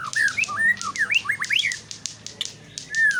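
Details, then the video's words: White-rumped shama delivering rapid, varied whistled song: fluid rising and falling notes linked into quick phrases, with a few sharp high accents and a final drawn-out whistle. "murai shama bird"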